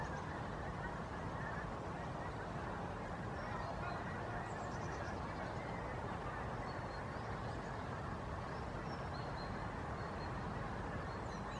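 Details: Skeins of pink-footed geese flying over Pearson Park; a dense, continuous wash of overlapping honking and yelping from many birds at once, with faint higher squeaky notes above.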